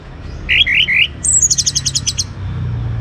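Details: Young orange-headed thrush kept in a cage, singing to set other birds singing: three rich warbled whistles followed by a fast series of high clipped notes, with a low hum underneath.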